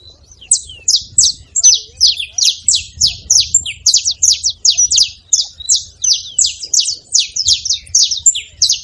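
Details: Saffron finch making noise at a feeding spot, a long, very regular series of sharp high chirps about three per second, clean and clear over near silence.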